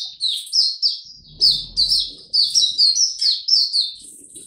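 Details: Kept Oriental white-eye singing 25 January 2022 after a late night: crisp, high downslurred notes repeated several times a second in a lively, clear twitter, with a brief low thump in the background.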